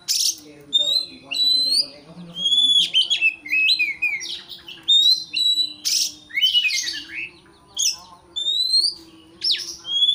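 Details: Oriental magpie-robin singing an agitated song meant to provoke a rival into fighting mood: loud rising and falling whistles, sharp slurred notes and harsh scratchy bursts in quick separate phrases, over a faint low hum.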